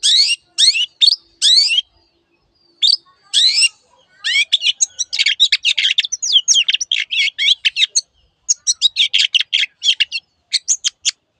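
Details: Long-tailed shrike singing "teot teot": rapid runs of scratchy, high chattering notes and fast rising strokes, delivered in dense bursts with brief gaps.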